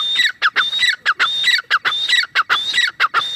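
A grey francolin, probably a female, gives loud, harsh, repeated squawking notes with ringing whistled overtones, several per second in a steady, insistent series.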